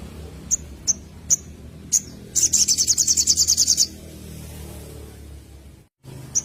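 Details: Little spiderhunter lure sound: four spaced sharp high chips, then a quick run of rapid high trilled notes for about a second and a half, a brief pause and one more chip.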